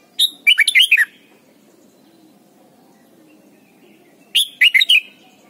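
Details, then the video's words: Red-whiskered bulbul song meant for teaching young birds to sing: a run of five or six bright, bubbling whistled notes, then after three seconds a similar shorter phrase; soft hum behind. "นกปรอดหัวจุก Thailand Bird: เสียงดีมาก (สอนลูกไก่) เต็ม - ฝึกร้องเพลงร้องเพลงยอดหรือเสียงบิด"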